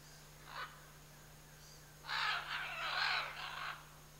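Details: Scarlet macaws, a pair in the Chiquibul area: a brief grating squawk, then a long loud harsh screech lasting nearly two seconds, with a low steady hum beneath.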